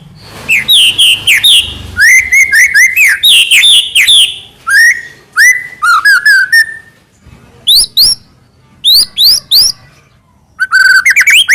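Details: White-rumped shama from Medan, kept in captivity, singing full varied phrases meant as a lure for other shamas: slurred whistles and sharp chirps in dense bursts, pauses between phrases, one long downslurred whistle.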